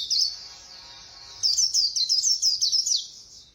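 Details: White-eye in quick Khuyên Líu singing: a short high chirp, a pause of soft background warbling, then a fast run of sharp, tumbling high twitters lasting about a second and a half.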